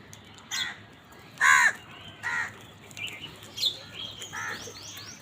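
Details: Harsh, grating caws from crows fighting over food, one loud call followed by a shorter one and a few quieter ones, with high descending chirps of other birds near the end.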